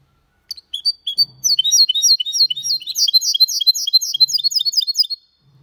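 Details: Error-free Malaga-style song of a goldfinch × canary hybrid: scattered chirps build into a rapid, tightly repeated sequence of bright, bending whistled notes, with soft low knocks in the background.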